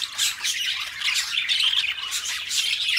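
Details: Pet budgerigar duo giving continuous harsh, squawking chatter with gritty rasps and brief high tweets, loud and steady throughout.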